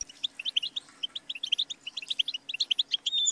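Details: Goldfinch singing a fast, steady run of short, clear tinkling chirps, almost evenly spaced, ending in a buzzy, drawn-out note; recording meant to train and stimulate songbirds.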